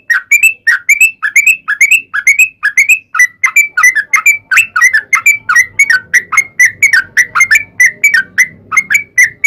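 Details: Fighting song of a sooty-headed bulbul used to make other bulbuls sing back, a rapid series of bright whistled notes with little pauses; a soft low hum joins partway through.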